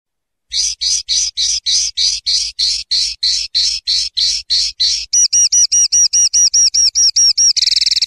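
Common linnet song: about fifteen dry, chattering twitters in quick succession, then a run of clear, ringing whistled notes, ending in a fast buzzy trill.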